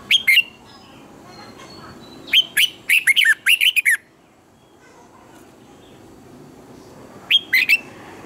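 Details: Red-whiskered bulbul morning song meant for teaching other birds: a lone sharp note, then a fast run of about nine jumpy, bending whistles, and after a quiet gap a short three-note phrase.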